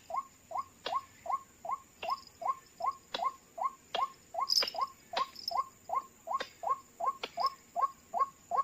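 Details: Trapping scene with White-breasted waterhen calls played to draw birds in: a long, even series of short upslurred notes, roughly two and a half a second. Sharp clicks and a brief high whine cut through now and then.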